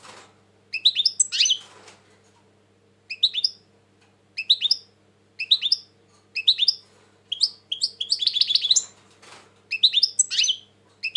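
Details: Song of a European goldfinch described as quite tense lately, 2020: rapid liquid twitters and tinkling notes in short bursts, one fast buzzy trill near the middle, over faint low electrical hum.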